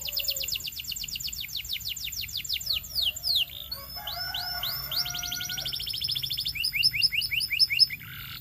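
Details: Belgian canary song built from a long rapid series of descending whistled notes, then sweeping slurs and quick rows of rising chirps, closing on a lower buzzy note.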